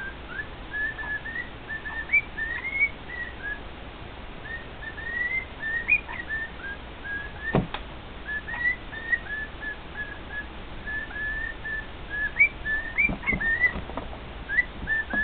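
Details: Male pet cockatiel singing indoors to two other cockatiels: a long run of short whistled notes, mostly level or gently rising, in uneven bursts with brief gaps, plus a few faint clicks.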